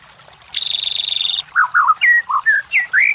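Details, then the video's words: White-rumped shama song used as a lure to provoke competition birds: a rapid buzzy rattle of about twenty pulses, then varied whistled notes sliding and dipping, each phrase short and clear. "MASTERAN SUARA MURAI BATU // PANCINGAN SUARA BURUNG JUARA"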